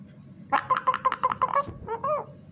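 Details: A pet common myna, a mimic of sounds such as a horse, duck and hen, gives a quick whinny-like run of about eight harsh, pulsing notes, then two short rising-and-falling calls, with faint voices behind.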